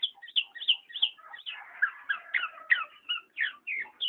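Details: Black-naped oriole chattering steadily with rapid, bright downslurred chirps, about three a second, some notes sliding lower in the middle of the run.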